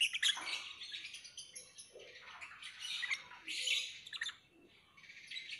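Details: Lovebird giving a soft, continuous stream of high, scratchy chirps and twitters, with fuller bursts near the start, around three seconds and just before four seconds, then a brief lull before the chatter resumes quietly.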